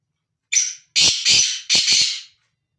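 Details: A black francolin that roams free delivers its rasping call, one brief scratchy note, then three strong buzzy grating bursts close together, followed by silence.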